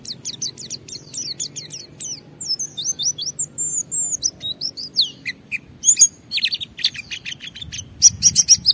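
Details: Lively white-eye song in the 'ngalas' style, meant to prompt other white-eyes to answer. It opens with a run of sharp, high descending chirps, then twisting whistled slurs, then clustered buzzy notes and quick trills near the end.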